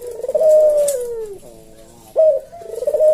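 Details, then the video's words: Captive Javanese collared dove (puter jawa) giving its 'kuk deruk' coo in the slow senggang style, used as a tutor and lure for cage birds: a long drawn coo sliding downward, a rough lower phrase, then a sharp note opening the next coo. "Burung puter jawa kuk deruk manggung merdu suara SLOW SENGGANG cocok buat masteran dan pancingan"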